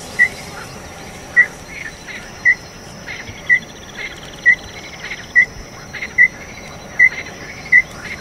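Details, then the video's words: Small-billed tinamou (inhambu-chororó) giving about ten short, high piping notes that gradually speed up, against a steady high insect trill. "Canto do Inhambu chororó"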